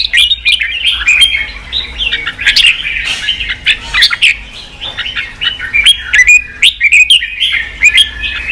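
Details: Red-whiskered bulbul song for stimulating fights and voice training in captive birds: continuous warbling of quick whistled phrases, fluttering up and down, in brief bursts separated by short pauses.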